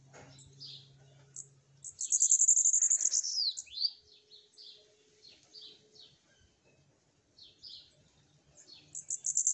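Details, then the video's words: Bananaquit, called sibite, singing from its owner's hand: a thin, sizzling high trill breaking into down-slurred squeaky notes, followed by scattered high chips and twitters, with a faint low hum behind. "MEU SIBITE CANTANDO NA MÃO!"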